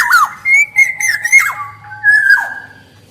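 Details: Black-naped oriole, male and female voices, prolific singer, giving a rapid run of short fluty whistles with buzzy edges, followed by a longer wavering whistled phrase that sinks at the end.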